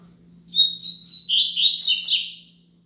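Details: A Double-collared seedeater delivers the Braddock tutor song 'Tui Tui Zel Zel Top', meant to teach young birds, as thin high chips give way to rolling warbles and a sharp buzzy ending, heard against near silence.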